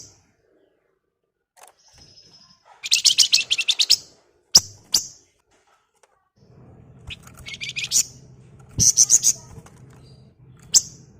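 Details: Sunda warbler (wergan jawa or flamboyan), energetic ngebren song meant to attract flocking birds: separate high chirps mixed with two dense buzzy chattering bursts over a low steady hum.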